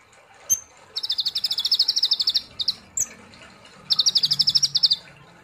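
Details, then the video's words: Sunbird known locally as kolibri ninja or konin, singing in ngobra nembak style: two rapid, even, high-pitched trills of about a second each, separated by a few sharp single notes. "Terapi kolibri Ninja ( konin ) Gacor Ngobra Nembak"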